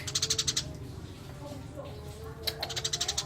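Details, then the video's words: Eurasian tree sparrow singing: a fast burst of crisp chirps, a quiet gap of nearly two seconds, then another quick run of dry chirps, over a low background hum. "Burung gereja gacor master alami"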